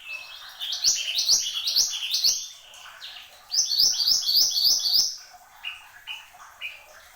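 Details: Horsfield's babbler, called mantenan gunung, singing hard: two bursts of fast, high, upward-sweeping notes repeated three to four per second, separated by a brief lull, ending with thin quiet whistles.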